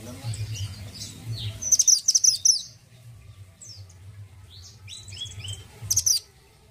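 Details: Orange-headed thrush in full song: high, varied whistled and warbled phrases, with a loud burst of rapid repeated sharp notes near the two-second mark and again near the end, over a low steady background hum.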